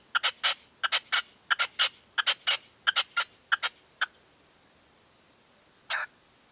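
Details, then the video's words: Caged decoy red-legged partridge at dawn during a 2023 hunt, giving a rapid run of harsh, rhythmic chucking notes in pairs for four seconds, then a pause and one final louder note. "PERDIZ CON RECLAMO"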